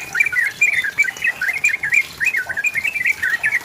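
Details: Sooty-headed bulbul singing as a lure to set off a rival: a steady stream of quick, warbled, up-and-down phrases, fairly loud over a hissy background.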